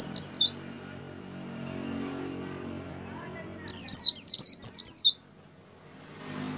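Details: Kept white-eye in energetic gacor song, used as a stimulus for pet white-eyes: a short burst of high whistles, a hum-filled gap, then a longer run of about seven rapid descending notes.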